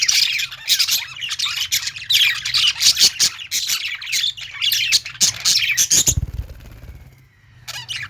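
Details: Budgerigars in a pet store, with lovebirds among them, chirping and squawking steadily for six seconds; then a low thump and a faint sliding tone before the chatter resumes.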